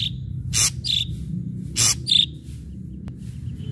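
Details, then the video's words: Ashy drongo singing to draw other birds into song: two harsh rasping bursts, each followed by a short high whistle, then quiet with a faint single tick. "srigunting abu abu gacor PANCINGAN"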